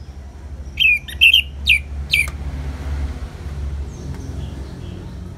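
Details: Orange-headed thrush (anis merah) singing a few sharp, downslurred whistles in quick succession, then falling silent as a low, steady rumbling noise fills the rest; ngeplong-style therapy recording.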